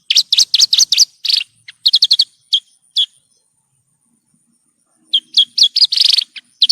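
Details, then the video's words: Horsfield's bush lark song on a masteran tutor recording for caged birds: bursts of quick, bright twittering and single sharp notes, a silent gap of about two seconds, then more dense twitters. "Masteran Burung Branjangan"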